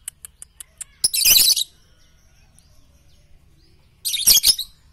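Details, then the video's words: Lovebird training song for morning, noon and night: a row of sharp evenly spaced ticks, then a long harsh buzzing screech, a pause, and another rasping burst of shrill notes. "masteran Lovebird pagi siang dan malam"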